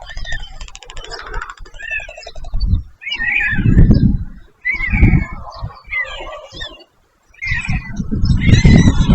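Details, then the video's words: White stork parent with chicks at their nest, picked up by a nest camera: a rapid, dry rattling burst opens, then bouts of harsh, squeaky, rising-and-falling calls come in clusters, over heavy low rumbling noise with short quiet gaps. "Review parent bird and babies bird in their nest | White stork bird nest Cam"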